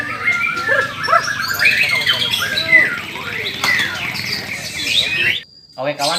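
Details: A White-rumped Shama (murai batu) on its first contest-pole hanging (gantang perdana) at about 3 pm, kept as an overly aggressive bird, pours out rich, rapid song of varied clear whistles, trills and harsh notes for about five seconds, pauses, then sings again; other birds may chime in.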